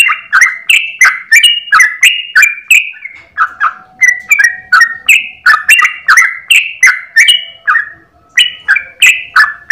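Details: Captive Yellow-vented bulbul (trucukan) singing in the morning in the continuous 'ropel' style, one long breath, used as a master recording for other birds: loud, rapid, whistled notes rising and falling between slurred pitches, delivered almost three per second without pause.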